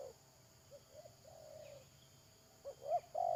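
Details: Decoy spotted dove calling during bird trapping, late May 2022, giving a series of soft low coos that build to a sharper two-part note and a final loud, sustained, mellow coo over faint constant hum.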